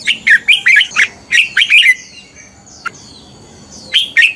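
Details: Red-whiskered bulbul fighting song for morning training: a string of loud, bright chirped and whistled notes over two seconds, then softer gliding high whistles and a sharp click, ending with a short whistled pair.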